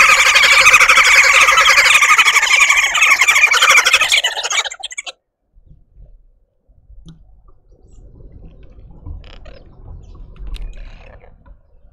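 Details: Red-billed woodhoopoe family making a commotion in a suburban garden in Pretoria, South Africa: about five seconds of loud, rapid, harsh cackling chorus that stops abruptly, followed by near-quiet with faint background sounds.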